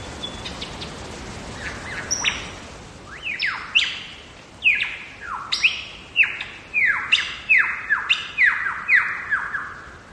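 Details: Lyrebird song recorded in the wild in Megalong Valley, Blue Mountains, Australia: a few soft scattered notes build into a fast run of loud, ringing, downward-swooping whistles that quicken toward the end.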